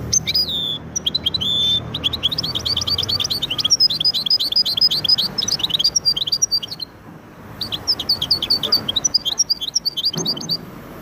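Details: Extended Widani song of a goldfinch × canary hybrid, a fast, continuous run of high twittering and trilled notes with one brief break before the rapid chatter resumes.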